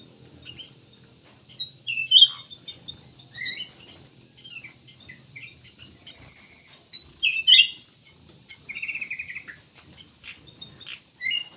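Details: Kutilang emas (ruby-throated bulbul) song: phrases of loud, liquid whistles and twittering notes separated by pauses, including a short buzzy trill, in quiet surroundings.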